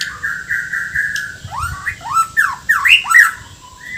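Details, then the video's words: A Bornean white-rumped shama sings hard with filler phrases and rough notes. Steady held whistles come first, then a quick burst of swooping notes curving up and down about four times a second. "MURAI BORNEO GACOR FULL ISIAN KASARAN SAMPAI TUMPAH - TUMPAH"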